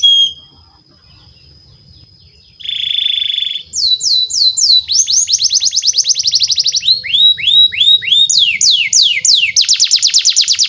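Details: Canary song meant to coax young canaries into long singing; quiet opening and a short buzzy burst, then loud sweeping downslurred notes and fast rattling trills repeated steadily to the end.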